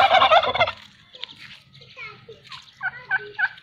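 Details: A domestic turkey answers a shouted slogan with a loud, fast rattling gobble lasting under a second, followed by quieter scattered calls and faint human voices.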